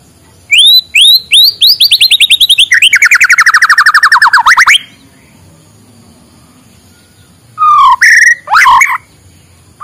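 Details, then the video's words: White-rumped shama singing in the morning, used to encourage silent shamas: spaced upslurred whistles speed up into a rapid, buzzy rattle of repeated notes that falls in pitch, then a pause and a few harsh, twisting notes. "suara muraibatu di pagi hari, untuk pancingan muraibatu malas bunyi"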